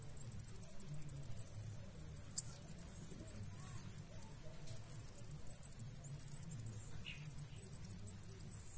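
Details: A pair of blue-black grassquits caring for their chicks; the nestlings give an insistent, rapid stream of very high wavering squeaks, roughly five each second, over soft low-frequency noise.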